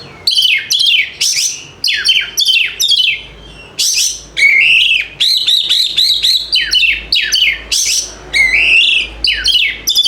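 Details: White-rumped shama singing continuously as a lure for lazy, quiet birds: rapid, varied phrases of sharp descending whistles, buzzy notes and sustained rich warbles, repeated with hardly a pause for ten seconds.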